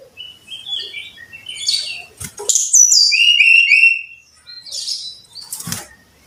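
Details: Brown-chested jungle flycatcher, song played to coax caged birds to sing: soft warbled whistles build into a loud run of high, then lower, sustained whistled notes, with sharp flapping or rustling sounds between phrases.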